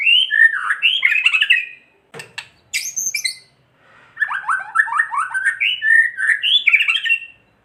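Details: Captive white-rumped shama, or murai batu, giving a kretekan song used to provoke other shamas: rich, varied warbled phrases with a harsh clattering burst midway, then a fast run of chattering, slurred notes.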